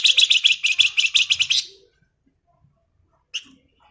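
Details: Flamboyan in strong ngebren song: a rapid chattering trill of about a dozen sharp buzzy notes lasting under two seconds, then silence and one short final note.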